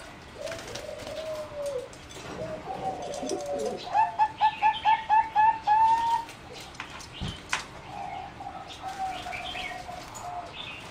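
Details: Competition singing zebra dove in an aviary, 30 April 2014: after gentle drawn coos, a crisp series of about eight rapid staccato notes rising slightly in pitch, followed by softer cooing.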